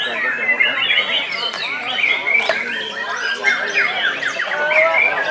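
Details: White-rumped shama (murai batu) singing in a contest, a dense, rich stream of varied whistles, trills and rapid slurred phrases, with other birds and crowd noise mixed in.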